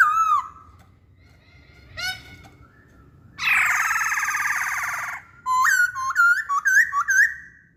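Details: Masked laughingthrush, a cage bird, in song: a falling whistle, a brief rising trill, a loud harsh rasping burst of over a second, then a string of clear upslurred whistles alternating with sharp high clicks.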